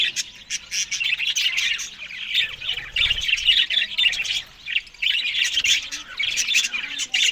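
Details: Australian budgies eating green food in the morning; dense, continuous chattering of overlapping squawks and short chirps from several birds, in bursts with brief lulls near two and five seconds.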